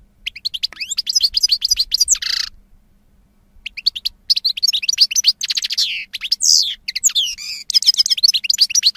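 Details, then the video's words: European goldfinch song: a dense, fast twittering of high, tinkling notes and short buzzy trills, broken by one brief pause before the chatter resumes and runs on. "Cante De Jilguero"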